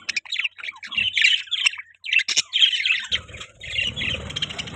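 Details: Budgies give short squawky chirps and warbled phrases in bursts separated by brief pauses, with a low rumbling noise joining in the background for the last two seconds.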